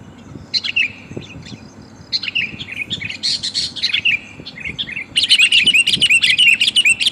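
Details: Female sooty-headed bulbul calling for a male, recorded for luring. Scattered soft chirps and warbles first, then a loud, fast, insistent series of bright bubbling notes over the final two seconds.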